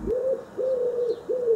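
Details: Crested pigeon (Ocyphaps lophotes) song: three clear, mellow whooped coos, each swelling upward then holding steady, spaced about two-thirds of a second apart; nothing else intrudes.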